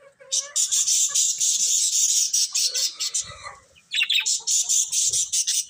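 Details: Budgies chirping loudly and continuously, dense rapid high scratchy chatter with rhythmic pulses, a short pause midway, then more fast noisy chirps.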